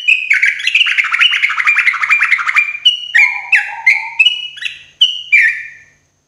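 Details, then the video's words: Morning song of a sooty-headed bulbul, played as therapy for caged birds. A dense, bubbling chatter of fast slurred notes runs for nearly three seconds, then gives way to about six spaced, liquid whistled phrases that fade out. "TRUCUK GACORRR !!! TERAPI TRUCUKAN PAGI HARI"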